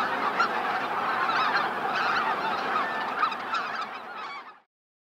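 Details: Dense chorus of honking calls from a large flock of Greater white-fronted geese flying in to roost at Miyajima-numa marsh, Bibai, Hokkaido, Japan, 2016; overlapping calls continue without pause, then cut off abruptly.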